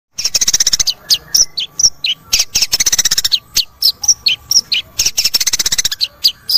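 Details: Long-tailed shrike (cendet) song played as a lure to prompt a reluctant bird to sing: rapid harsh chattering bursts, about four per second, broken by sharp high whistled notes, with a faint steady hum beneath.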